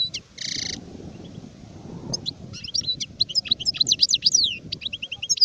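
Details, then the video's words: An adult European goldfinch, called sharif, 2019: a brief nasal buzz opens, then a lively stream of high, rapid twittering and slurred notes runs steadily to the end over a low background hum. "تغريد حسون كهل (شارف)"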